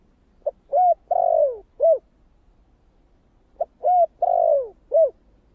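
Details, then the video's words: Spotted dove repeating its 'thổ' style coo, meant to provoke wild doves, twice with about three seconds between: each phrase a short note, a clear coo, a long falling coo and a last rounded hoot. "Tiếng cu gáy giọng thổ kích bổi chuẩn mới nhất"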